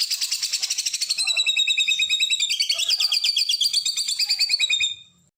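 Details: White-rumped shama song used for training other shamas: a dense, rapid trill of high notes shifting into layered, rolling chatter that continues for about five seconds before stopping.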